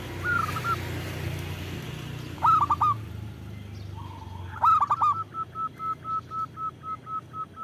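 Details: Local zebra dove with a big voice, used to lure and provoke other doves into calling. Soft stuttering coos with quick broken notes come in short phrases, then a steady series of even hoots roughly every quarter second. Low hum throughout.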